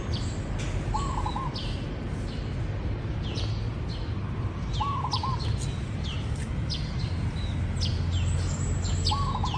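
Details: Three brief rolling coos from a zebra dove, spaced roughly four seconds apart. Each is a fast burst of soft, stuttered notes. Thin, sharp high chirps of other birds and constant background hiss run throughout.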